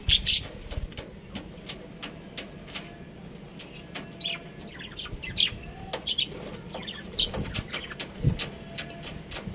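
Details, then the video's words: A budgerigar breeding pair chirps steadily, giving rapid clicky, scratchy chirps and squeaky notes repeated irregularly, sometimes in quick bursts, with light rustling beneath. "Adorable Budgies Chirping Sounds"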